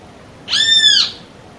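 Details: Single call from a female great kiskadee summoning the male: bright, ringing, and harmonic, about half a second long with an even pitch that dips slightly at the end, against low background noise.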